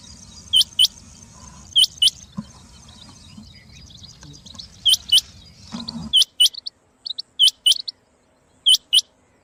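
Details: Rain quail (chinga batair) calling, used to attract quail for trapping: repeated pairs of sharp, high notes. Rumbling noise fills the first six seconds, then quieter pauses between the paired calls.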